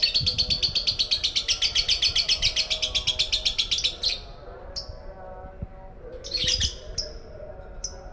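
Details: Young lovebird learning to sing: a rapid, steady train of high buzzy chirps for about four seconds, then scattered sharp high notes over a faint low hum.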